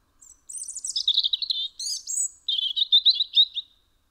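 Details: Close-up song of a European robin at a home window, Eibar, Gipuzkoa, December 2019: sweet, high, tinkling notes with quick twittering runs, a brief gap, then a lower rippling trill that fades out.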